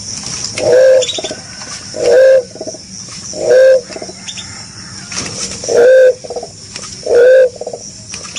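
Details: Green pigeon calling: five short, mellow whistled coos repeated every one to one and a half seconds, each with a higher soft note nearby, over steady background hiss.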